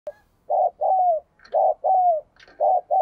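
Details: Spotted dove decoy bird cooing to stir a wild-caught dove into cooing fast: low, soft coo phrases, each a short note followed by a longer downward-slurred coo, repeated three times with brief pauses.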